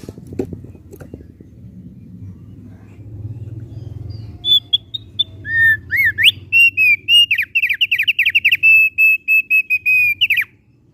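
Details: Thick-billed heleia song beginning after a stretch of low background rumble: soft sparse high notes build into a rapid, slightly rising and falling chain of sharp whistled notes, steady and insistent until it stops abruptly.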